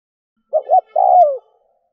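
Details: One phrase from a spotted dove used as a decoy for wild doves: a doubled short hoot running straight into a long, grainy coo that drops in pitch as it fades.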